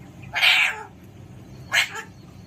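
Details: Alexandrine parakeet letting out two broad, rasping screeches, the first longer and the second a short burst just over a second later, over low indoor hum.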